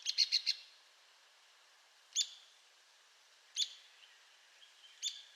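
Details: Arizona woodpecker giving a rapid burst of four sharp high notes, then three separate single notes spaced over about three seconds, with faint soft notes trailing after the last ones.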